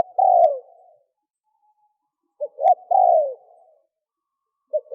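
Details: Male spotted dove calling to attract females: soft low cooing phrases, each a short note and then a longer, falling, throaty coo, given twice with pauses between.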